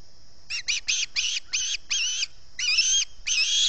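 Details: Hungry osprey begging at dawn on the Salt Point nest, 11 August 2020, picked up by the nest camera microphone: clipped whistled chips in uneven groups, ending with two longer, strained squealing notes.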